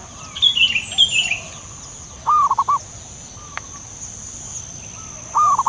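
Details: Zebra dove of local wild stock with gentle, rapid, stammering coos heard twice. Opening high chirps come from another bird, then a sharp click. A thin high hiss continues throughout.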